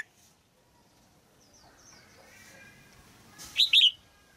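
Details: Red-whiskered bulbul female in a cage, singing to stir an adult male: after a long quiet stretch with faint thin chirps, one brief phrase of two loud, arched whistles.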